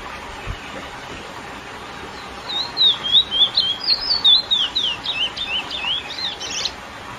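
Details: Lesser seed finch, or curió, giving its classic female-exciting song: quiet start, then from about two and a half seconds a fast string of sharp whistled slurs, rising and falling, ending in a brighter burst.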